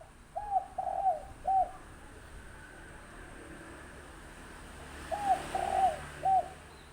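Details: Wild spotted dove about six months old cooing: two phrases of three arched mellow notes each, the second phrase after a four-second pause, over steady low background hiss.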